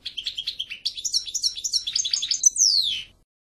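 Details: European goldfinch song: a rapid, liquid twittering of short high notes that rises in pitch, then ends in a long descending slurred whistle after about three seconds. No other sounds are heard.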